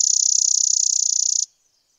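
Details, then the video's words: Short burst of a Spizella sparrow's song: a loud, dense, high rattling trill of quick identical pulses lasting under a second and a half, then silence. "Sounds of Spizella, Sounds of the Common Sparrow Bunting"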